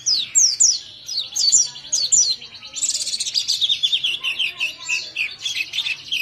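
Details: White-eye song beginning with spaced pairs of sharp, high, falling whistles, building into a dense, rapid, high twittering chatter.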